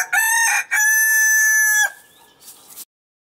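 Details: Marans rooster crowing: loud harmonic two-part crow, a short opening note then a long sustained strained tone lasting about a second, trailing off into quiet background chatter.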